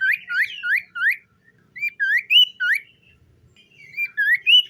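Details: Common iora morning song from a captive bird: a fast run of rising whistled notes repeated several times a second, a pause, then more upswept whistles.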